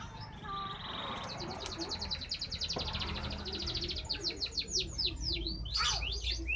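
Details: Canary 'badai' song: a long even trill of rapidly repeated bright notes, then a quickening cascade of sweeping whistled slurs and buzzy notes, over low background rumble.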